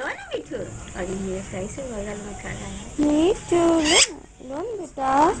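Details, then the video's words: Parrot in India talking in Hindi, a string of speech-like syllables with rising and falling tones, some harsh and nasal, others clearer, delivered in short bursts over about five seconds. "parrot talking in hindi"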